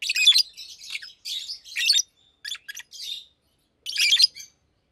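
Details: Almost two-year-old Fischer's lovebirds, blue and pastel green, chirping in daytime; harsh squeaky bursts, a few short clipped notes, then a final loud chattering burst after a silence.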